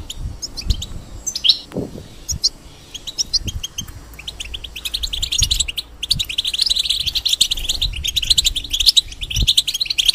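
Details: Caged European goldfinch singing, a molting bird kept for breeding hybrids: scattered high twittering notes at first, then after six seconds a dense run of fast chirps and trills with clicks and low bumps beneath.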